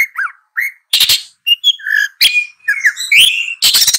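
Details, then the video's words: Long-tailed shrike singing a jumbled medley. Rising and falling whistled slurs alternate with loud rasping bursts and short chirps, the phrases separated by brief pauses. "Long-tailed Shrike Bird Song"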